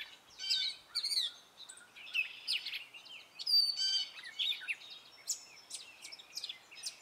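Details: Spring song of a male gray catbird: a rambling series of short, varied notes, partly mimicry, mewing, squeaky and chattering phrases pouring out with barely a pause, some notes repeated.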